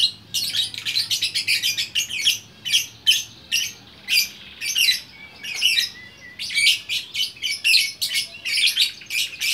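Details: Lovebird in Bukittinggi, West Sumatra, delivering rapid shrill, squeaky chatter in short rhythmic bursts, each lasting a fraction of a second, almost continuous across the recording.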